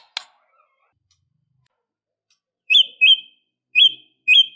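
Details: White-rumped shama in an agitated, fighting mood: after a click, a pair of sharp, upslurred whistles, then a second matching pair about a second later, all clean against silence.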